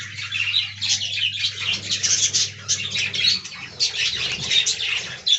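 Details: Budgerigars in an aviary colony: dense, continuous high chirping and scratchy warbling from many birds at once, with a steady low electrical hum that stops after about three seconds.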